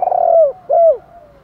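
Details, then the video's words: Spotted dove calling in the morning to draw in other doves: two loud, low cooing notes, the first long and drawn out, the second shorter and dropping at its end, followed by a faint fading tail. "gay goi chim cu gay cu dat cu moi gáy gọi bổi buổi sáng, bổi nghe gáy liền"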